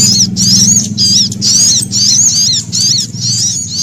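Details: Frightened, threatened sunbird alarm calls mixed with a prinia, made as a lure for wild birds: rapid, shrill, high twisting notes in dense bursts about twice a second, over a steady low hum.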